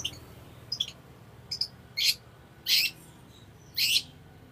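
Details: Long-tailed shrike in full song, used as master song to train other birds and to provoke them into singing; a few short high chirps, then loud harsh rasping bursts repeated roughly every second over a quiet background.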